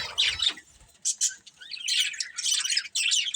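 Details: Budgerigar pair, a breeding couple, opening with a low thump, then short bursts of scratchy high chirps separated by brief gaps, building into steady warbled chatter.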